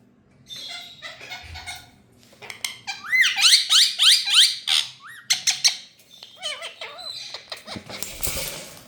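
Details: Rose-ringed parakeet (ringneck green parrot) in India giving harsh, grating squawks: a fast run of rising screeches repeated about three times a second, then scattered shorter squeaks and a burst of noise at the end.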